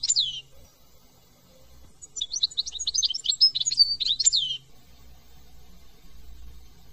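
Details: European goldfinch, partially migratory finch from France, singing a brief tinkling twittered phrase of rapid high liquid notes and trills lasting about two and a half seconds, preceded by a single downslurred call, with faint low background rumble.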